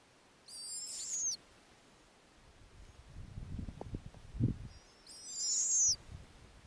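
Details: Two rasping, high-pitched wheezes about four seconds apart from young snowy owls in an Arctic nest on a summer night, as their mother comes back with a lemming. Soft low thumps and rustling between the calls.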